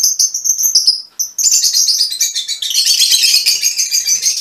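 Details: Mutation Fischer's lovebirds: a few sharp high chirps, then a dense, continuous shrill twittering chatter that fills the second half.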